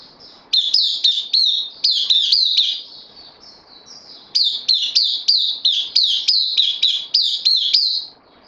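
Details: Caged bulbul, a newcomer on loan, recorded 12 September 2020, sings bursts of sharp, downslurred high notes in quick runs, pausing briefly mid-phrase before resuming, over a steady thin high-pitched whine.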